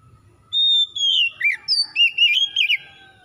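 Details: Oriental magpie-robin, locally kacer, singing as a lure for a bird that is slow to sing: a sustained clear whistle, then quick rolling, warbled notes sweeping up and down in a lively sequence.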